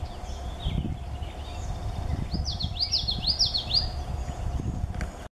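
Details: Common yellowthroat at Boundary Creek on 23 May 2017, singing a quick run of bright, rolling, repeated phrases lasting about a second and a half, over a steady low rumble of wind or distant traffic.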